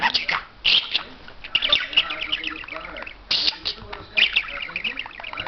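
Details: A parrot that mimics words in English, German and Turkish, producing a dense run of harsh squawks and chirpy, speech-like bursts that come in clusters with short breaks between them.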